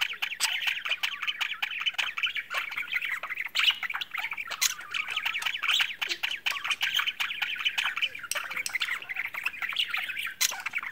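A flock of budgerigars chatters nonstop with scratchy, rapid warbling chirps and squawks.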